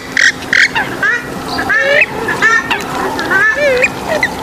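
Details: Swamphen calls for attracting birds: a busy mix of short squeaky notes, wavering nasal honks and upslurred squeals in quick succession, with some notes overlapping, and a faint steady hum beneath.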